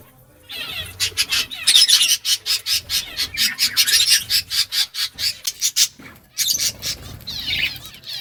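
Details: Pet budgerigars chirping while eating green food: a dense rasping chatter of quick harsh pulses, several per second, running almost continuously with short breaks, plus soft rustling underneath.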